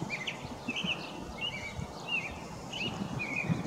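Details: Faint American robin song from a Wisconsin backyard, brief slurred whistled phrases spaced about every half second over steady outdoor background noise.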